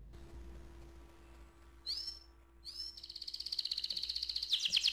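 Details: Canary singing its rolling song, which is used to prompt other canaries to sing; a few short rising notes, then a fast high trill that builds in loudness over about two seconds against faint background hum.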